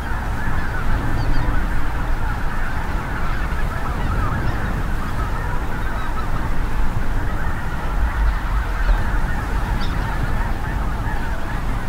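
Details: Mixed spring migration flock of Snow, Greater White-fronted, Ross's, Canada and Cackling Geese passing overhead at North Ottawa Impoundment, Grant County, Minnesota: a dense, unbroken clamour of overlapping honks, with heavy low rumble from a strong south wind.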